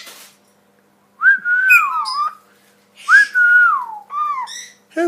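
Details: A 12-year-old female rescued Hahn's (red-shouldered) macaw talks, saying "Hey baby", "What you doing", "Hello" and "Pretty boy", in clear, whistly phrases rising then falling, two or three short bursts every couple of seconds, in a quiet room.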